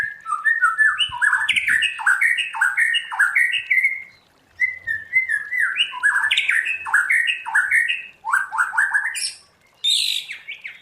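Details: Trained white-rumped shama pouring out forest-style song (giọng rừng): long varied runs of chirped, rising and falling notes with brief pauses, a continuous lively medley.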